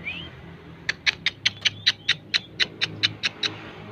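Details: Long-tailed shrike giving one rising whistle, then a rapid series of about thirteen sharp, evenly spaced ticking notes over low background noise.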